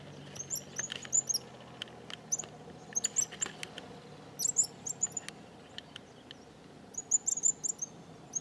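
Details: A small flock of cattle tyrants in the Bahia sertão gives very high, thin, squeaky twittering bursts, short sputtering clusters every couple of seconds, with faint clicks and low background hum.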